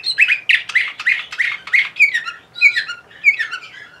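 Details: Bulgarian canary from Sofia, Bulgaria, singing in 2020: a rapid run of bright, sweeping chirps repeated about every quarter second, shifting into lower slurred whistles with high tinkling overtones in the second half.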